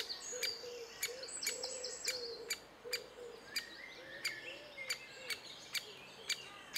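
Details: Great spotted woodpeckers feeding their chicks in June 2011, giving abrupt, sharp clicks roughly twice a second, while low, soft hoots repeat underneath and faint high bird chirps come through.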